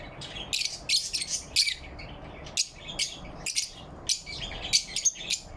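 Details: Several lovebirds chirp happily in morning light, November 4, 2023, giving a rapid, dense run of shrill, scratchy chirps, often overlapping, with brief gaps, above a constant low rumble.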